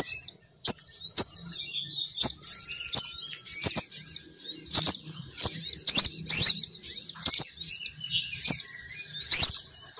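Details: Lively high chattering from a female sogon bird, used to bring males down, with rapid twitters and many sharp clicks through the recording.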